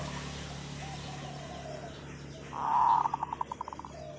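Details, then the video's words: Zebra dove long call over a steady low hum: a loud, bubbling coo rolls into a series of evenly spaced pulsed notes that fade away. "เสียงนกเขาชวาต่อ ออดยาวๆ"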